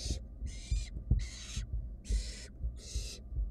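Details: Barn owl nestlings, wild, in a nest box watched by a research group, hissing and screeching for food after a sibling gulped down a mouse; five broad rasping hisses, some with a wavering tone, over bumping and scratching.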